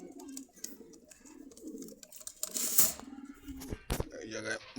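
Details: Pigeons at a Dhaka bird market in Khilgaon cooing in low, wavering, repeated phrases, interrupted by bangs, scraping and faint human voices nearby.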